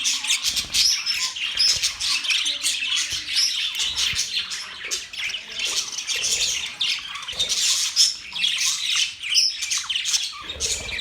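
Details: Continuous twittering from several budgerigars, October 11, 2023: bright, rapid chirps and buzzy warbles overlap in a dense high chorus, with brief rasping notes scattered throughout.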